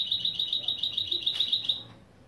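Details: Mule hybrid of European goldfinch and canary delivering one steady, rapid high trill of evenly spaced notes that fades out near the end.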